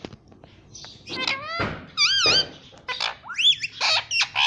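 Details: Indian ringneck parrot, a pet, talking and saying "mummy mummy": rapid wavy, voice-like syllables with rich harmonics, a pair of undulating notes, then sharp rising squeaks and clipped chatter.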